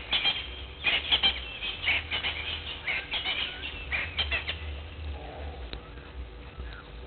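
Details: Blacksmith lapwing at the Gowrie dam waterhole on Djuma Game Reserve, Sabi Sand Wildtuin, South Africa, at 06:45; sharp metallic clicking notes in quick irregular bursts over a steady low rumble.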